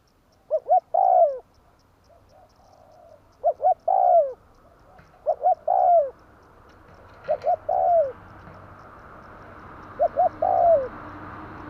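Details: Spotted dove call used as a lure to trap birds: five spaced phrases of two short coos and a curved falling coo, roughly every two to three seconds, with rising background hiss later.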